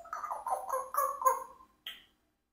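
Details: A 4-year-old pet Congo African grey parrot speaks a short, voice-like phrase in wavering, nasal tones, followed by a brief higher squeak.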